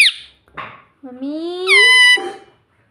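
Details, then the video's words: Pet parrot indoors: a short squeak, a breathy note, then a long, rising, nasal drawn-out harmonic call, likely part of "mummy", ending with a rough burst. "Parrot talking papa || mummy bolne wala tota || Pablo Parrot Mummy || parrot talking mummy"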